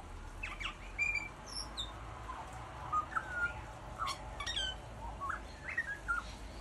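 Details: Butcherbird song: scattered clear whistled notes, some short and upslurred and some falling, spaced irregularly. A steady low hiss of background noise runs beneath.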